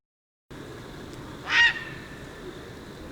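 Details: Tricolored heron from Argentina giving a single short, harsh squawk against steady background hiss.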